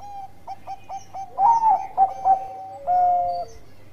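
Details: Bangkok-type zebra dove in full song, played to provoke other doves to sing: a run of quick soft coo notes builds into louder rolling coos and ends on a long sustained coo, with a second lower voice beneath.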